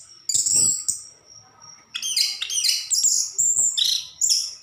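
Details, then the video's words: Orange-headed thrush singing: a high, ringing sustained note, then a short silence and a burst of dense, scratchy, high-pitched warbled phrases. "Burung Anis kembang gacor"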